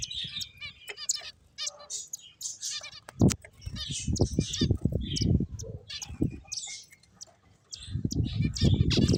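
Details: Finches chirping in quick, irregular bursts of short high notes, with soft low thumps and fluttering noise between calls and a brief quiet pause near the end.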